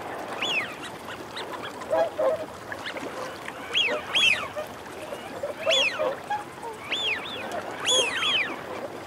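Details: Eurasian wigeon males and females calling: repeated loud whistles, each rising then dropping, some doubled, roughly every one to two seconds, with low growling notes between them and a constant background of flock chatter.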